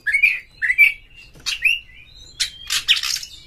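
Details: White-rumped shama song for prompting other shamas; two slurred rising whistles, a downslurred note, then harsh scratchy rasping notes.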